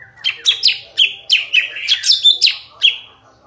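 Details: Sooty-headed bulbul singing, its voice described as clear and powerful: a quick run of bright, loud chirped notes, some sliding down, about eight bursts in three and a half seconds with no other sounds.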